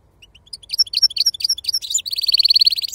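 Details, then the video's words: European goldfinch performing wild 'khalwi' style sarfati song: scattered high tinkling chips that quicken into a bubbling twitter, ending in a fast, even, buzzy trill. "أفضل تغريد بندوق حسون خلوي أصيل الله يبارك لصحابو ما شاء الله لغه خلوي أصيل سرفاتي"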